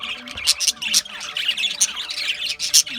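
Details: Chattering budgies, Australian parakeets, giving rapid high chirps and scratchy squawks in quick succession, a busy flock sound with sharp loud notes every half second or so.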